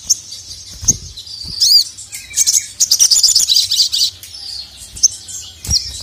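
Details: Sogon, the ruby-cheeked sunbird, in full voice calling a male: shrill, high chatter, a rapid run of sharp ticking notes in the middle, and a few isolated high chips with light knocks.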